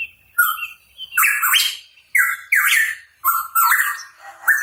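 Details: Lively song from a hooded pitohui: a run of phrases in which clear mid-pitched whistles step abruptly higher, each wrapped in harsh, hissing noise, repeated about every second.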